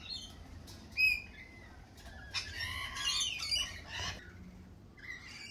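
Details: Lorikeets in spring giving harsh, buzzy screeches in short bursts, a loud squawk near the start followed by a dense overlapping cluster of rasping calls from several birds, with low background rumble.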